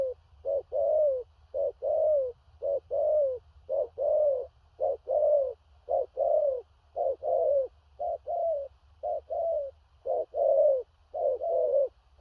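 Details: Spotted dove of large build in strong 'thổ rặc' song, with distant-paced phrases and stuttering coos. Deep hollow notes repeat steadily in short-long pairs, about a dozen pairs over twelve seconds. Faint low hum in the background.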